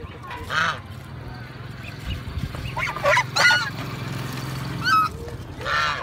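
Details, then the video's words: Geese honking in loud, nasal bursts, roughly five calls spread over six seconds, some rising and trumpeting, above a steady low rumble of background noise. "Angsa I Goose I Duck I Duck Sound I Suara Angsa"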